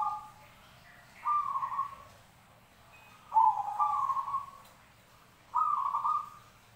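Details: Zebra dove from a mixed song recording: repeated rolling, trilled cooing phrases, each about a second long, given roughly every two seconds with a faint higher note early on.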